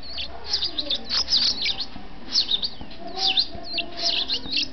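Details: Captive-bred European goldfinch chick, born 27 May 2008, being fed: bursts of high, thin, rapidly repeated chirps and squeaky upslurred notes in clusters, with brief pauses between feeding bouts.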